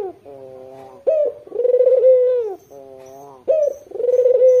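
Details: Actively calling white Barbary dove with red eyes, kept as a lure for local wild doves. A low, level hum alternates with sudden sharp notes and long, throaty, rolling coos. Faint high chirps sound in the background.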